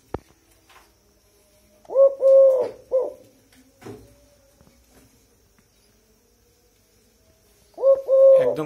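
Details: Tame captive Eurasian collared dove calling at about 8 pm, said to call all night: two bouts of soft, hollow, low three-note coos several seconds apart, a faint human voice between.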